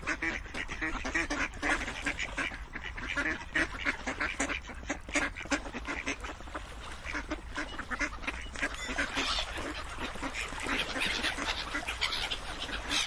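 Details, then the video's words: Many ducks calling together, an unbroken stream of short, coarse quacks that grows a little busier and louder toward the end. "Quacking Duck sounds"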